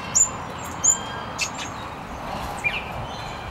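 Double-eyed fig parrot giving short, very high, thin squeaky notes, two close together then a few fainter ones, over a steady background hiss.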